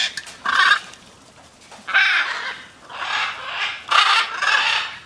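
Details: Flying macaws, free flight: four or five loud, rasping squawks, each under a second long, with short pauses and a faint background hiss between them.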